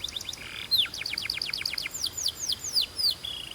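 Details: Belgian canary in lively song, with short clipped trills leading into repeated curved whistles that sweep downward, delivered rapidly and rhythmically over low background hiss.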